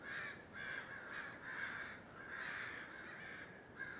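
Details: Crows in an oak tree outside a house squawking on 12/11/2017, a commotion once thought to sound like machinery; a rapid series of about seven harsh, raspy caws, closely overlapping.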